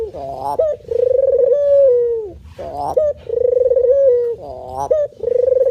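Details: Male spotted dove (puter) cooing in the manggung style: a short rising upslurred note, then a long burry, pulsing coo that holds steady and slides down at the end. The phrase repeats about every two and a half seconds against a quiet background.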